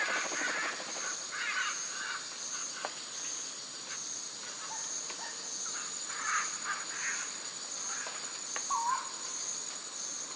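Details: Scarlet macaws in a Costa Rican forest, feeding on nuts in a tree, give harsh, raspy squawks in scattered bursts over a steady high insect drone; they scream to let the group know they are there.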